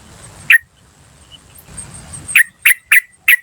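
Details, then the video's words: Wild yellow-vented bulbul lure call: a single sharp "cuk", then after a pause four clipped notes in quick, even succession, with a faint high continuous tone in the background. "PANCINGAN TRUCUKAN BAHAN Asli Suara Alam Liar CUK CUK CUK memanggil"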